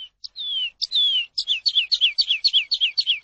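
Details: Eurasian skylark singing, a tutoring recording for caged birds. Two long, smoothly falling whistles are followed by a quick series of sharp, downward-slurred high notes, evenly spaced and clean against silence.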